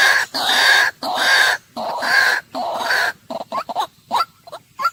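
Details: A white-breasted waterhen gives three long, harsh roaring phrases, followed by a string of short, rising croaks.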